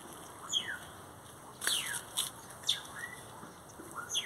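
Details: Several great-tailed grackle notes beside a Brugmansia tree, loud squeaky downslurred whistles and rattling clicks in quick succession, some rising slurs, over steady background hiss.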